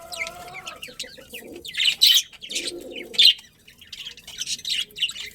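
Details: Budgerigar colony with a breeding pair: scattered high, scratchy chirps come in short bursts, alongside a lower, steady humming tone early on and a mid-pitched murmur between calls.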